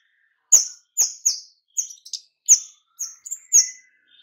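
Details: White-rumped shama giving tight, rapid calls used to lure other birds: a series of loud, high, clipped chirps, some doubled, roughly two per second, with short silences between them.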